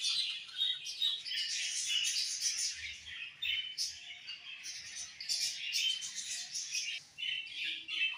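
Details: Budgies chirping together: a dense, continuous chatter of high, quick twittering notes and short warbles, overlapping with no pauses and rising and falling in loudness throughout.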